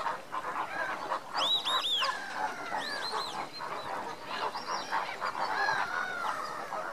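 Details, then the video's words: Lesser flamingos foraging during an enrichment session give a steady chorus of nasal, goose-like honks and murmurs, with a few sharper high yelps cutting through the overlapping calls. "Lesser flamingo foraging"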